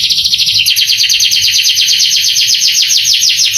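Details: Male canary singing to provoke and excite young canaries so they answer and start singing: a dense, high, continuous trill of fast buzzy notes, steady and loud throughout.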